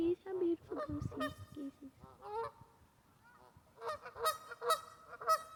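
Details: Geese in a West Virginia local park calling in loose bursts: lower nasal honks early, a quieter middle stretch, then a run of loud, bright honks near the end.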